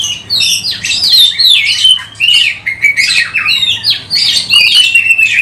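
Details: Oriental magpie-robin, tail spread, singing a lure song for other magpie-robins: continuous, loud medley of clear whistles, slurred notes and harsh chatters in short bursts, almost without pause.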